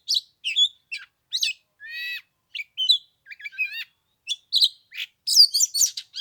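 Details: Cold-day Oriental magpie-robin song, third day of Lunar New Year, used as a fighting lure: irregular phrases roughly seventy a minute mixing chips, slurred whistles and a nasal buzzy note, ending in rich warbling.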